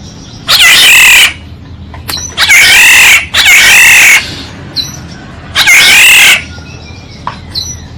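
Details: Black-naped oriole calls used as a decoy sound: loud, harsh, nasal, drawn-out cries about a second long, given four times with short pauses, and faint thin notes between them.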